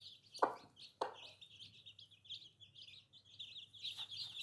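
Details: Newly hatched baby chicks peeping: a steady stream of high, slurred cheeps repeated rapidly, with two sharp knocking thumps near the start and a burst of louder peeps toward the end.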